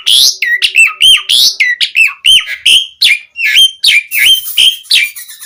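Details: Asian pied starling in vigorous full song used to get other starlings to respond: quick succession of sharp, looping whistled notes and harsh chips, about three per second, with a few rasping bursts.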